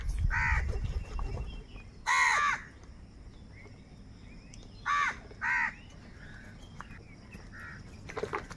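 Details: Crows fighting over food: four harsh, nasal caws stand out against a quiet background. The first comes early, a loud one follows at about two seconds, and a close pair sounds near five seconds, with long pauses between them.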